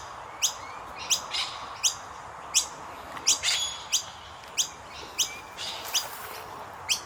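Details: Common myna chicks being fed by their parents give sharp, high chirps about every two-thirds of a second, with brief harsh rasping between them; no other sounds stand out.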